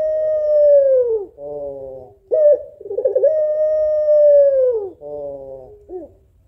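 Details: Calling by a female puter pelung (African collared dove) to draw the male: a drawn-out falling coo and a buzzy layered note, a sharp bent note, a quavering rise into another long coo, then a buzzy note and a short dipping note.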